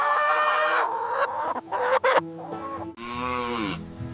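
A hen gives harsh, nasal clucks and a drawn-out squawk that slides downward.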